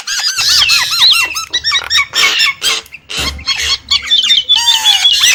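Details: Nias hill myna delivering a jumble of looping whistles, hoarse rasps and squeaks. The notes are packed closely, and a long wavering whistle closes the phrase.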